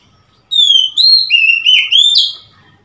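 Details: ['Oriental magpie-robin, recorded on 3 March 2021, gives a short bright phrase of five loud whistled notes. Some glide smoothly while others bend sharply, ending on a higher, slightly buzzy note.']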